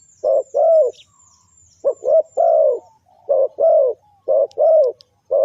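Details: Spotted dove cooing to lure wild birds: hollow low notes in short-long couplets repeated about every second, with thin high twittering from small birds at the start.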